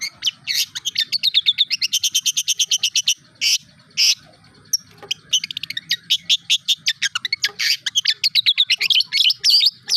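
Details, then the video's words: Long-tailed shrike (cendet) singing a modern repertoire of imitated material: tengkek buto, kunti, armagedon, kapas tembak, cucak jenggot and lovebird. High, rapid chattering trills and sharp repeated notes in long fast bursts, with short pauses between phrases. "cendet materi kekinian tengkek buto,kunti,armagedon,kapas tembak,cucak jenggot,lb"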